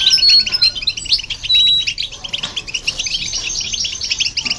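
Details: European goldfinch singing alongside a hybrid, played to stimulate other birds: dense, fast twittering of high chirps and tinkling notes, with a few brief thin whistles early on.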